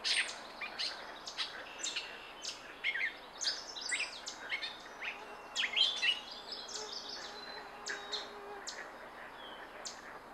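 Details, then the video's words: Gray catbird giving a jumble of short, varied chirps and squeaky notes in quick uneven bursts, some rising and some falling, over steady background hiss and a faint insect-like drone. "Gray Catbird"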